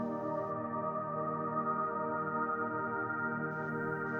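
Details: Sustained organ music with steady layered chords throughout and no animal voices.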